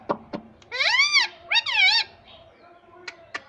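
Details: Talking pet ringneck parrot that says "Mummy": two strong, arched, nasal-sounding utterances, each about half a second long, framed by a few sharp taps before and after.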